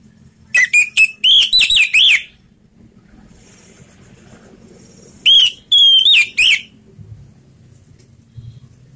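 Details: Orange-headed thrush in slow ngeplong song, a lure for silent birds: two phrases of rapid, ringing whistled notes, each a cluster of about six to eight clear tones, separated by three seconds of quiet.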